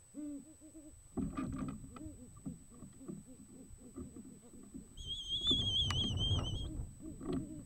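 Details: A male great horned owl courting a female on a January night gives quick runs of soft, low, rounded hoots, about four a second; a thin, high, wavering whine joins in briefly near the end.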